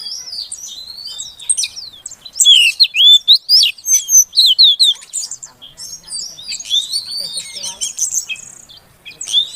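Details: Female Oriental magpie-robin calling to draw a silent male into song: dense, rapid chirps and looping whistled notes, high and sweeping, strongest in a run of loud repeated phrases midway, about two per second.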